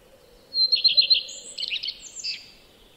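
A common redstart sings a short phrase: a high thin opening note, a few quick repeated notes, then a scratchy jumbled twittering ending.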